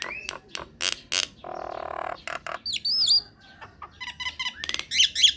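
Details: Myna song used as a lure recording to make other mynas answer: a varied run of harsh broadband bursts, a buzzy grating stretch, then high looping whistles and clicking notes.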